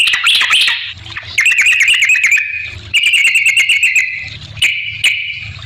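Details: A yellow-vented bulbul in full song, played as a lure to make other bulbuls respond: bursts of rapid trilled whistles held on one pitch, separated by short pauses, with scattered crackling clicks.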